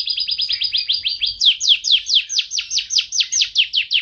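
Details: Canary tutoring song for pet songbirds. A quick even trill shifts into slower, louder descending swoops repeated about every quarter second.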